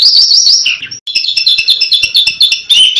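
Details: Asian pied starling pouring out 'tembakan' song: dense rapid chattering with bright whistled notes almost without break, a brief pause near one second, then a renewed fast run of ringing notes.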